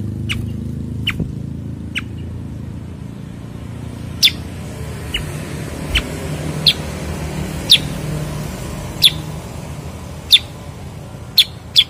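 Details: Bulbul, locally named cucak kurincang, kutilang sutra or kuniran, calling with isolated sharp clicks spaced a second or more apart amid a constant low drone.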